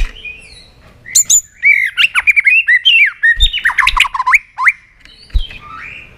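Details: White-rumped shama singing competitively in many voices: a dense, jumbled string of whistles, squeaks and harsh slurred notes, with a few dull thumps.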